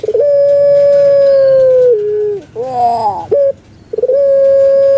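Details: Kept Barbary dove of the puter pelung type, famous in Indonesia and especially Java, singing: a long steady hollow note, a downward slide, a broken gurgling warble, then the long note starting again.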